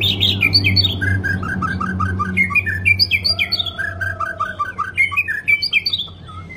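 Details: Long-phrased White-rumped shama song intended to stir a weak bird into singing: quick strings of bright, bouncy whistled notes and short trills over a continuous low hum, with one long steady lower whistle in the middle.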